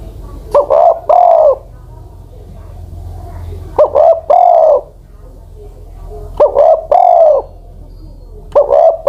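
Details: Spotted dove, an aged ground decoy over ten years old, delivering four cooing phrases roughly every two seconds: a short sharp note, then two soft, arching coos.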